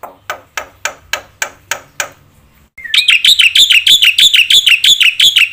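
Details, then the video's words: Black-winged myna lure song, gacor with full isian, to provoke other mynas: a slow series of dry clicking strokes, a pause, then a fast, bright run of repeated shrill chirps. "sekali putar bikin JENGKEL semua burung jalak - pancingna suara jalak putih gacor full isian"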